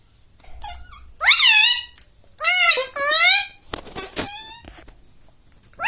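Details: Pet ringneck parakeet speaking indoors: four loud, squeaky, word-like phrases with bending pitch and rich harmonics, separated by brief gaps, plus a little soft background noise.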